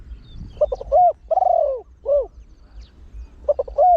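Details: Trained Spotted Dove with a big, deep voice, cooing in the quick-repeating 'khan yon one kuk' style meant to draw wild birds in. A stutter of short notes leads into a drawn-out bowed coo and a shorter one, then the stutter starts again.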